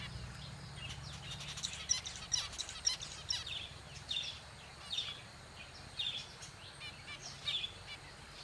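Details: Zebra finch, a kept bird whose kind comes from Australia, giving short high chirps in loose irregular bursts, roughly eight to ten over the stretch, above a steady low hum and background hiss.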